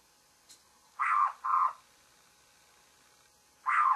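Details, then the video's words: Babbler's morning calls: harsh, nasal mid-pitched notes, two in quick succession and then a third after a pause of about two seconds, over a faint steady background hiss, with a soft click at the start. "Babbler's morning call"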